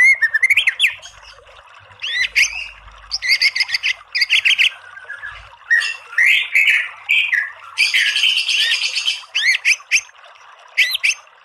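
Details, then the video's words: White-rumped shama masteran song meant to excite a listening bird: varied phrases of rising whistles, harsh squawky notes and a dense buzzy stretch in the middle, delivered in quick irregular bursts. "MASTERAN MURAI BATU full TEMBAKAN biar EMOSI NYAUT jadi BUNYI GACOR BONGKAR ISIAN"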